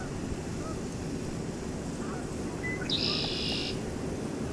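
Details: Red-winged Blackbird calling at Oak Orchard Wildlife Management Area, New York: one brief introductory note, then a harsh, buzzy trill under a second, over a steady low rumble of wind or distant traffic.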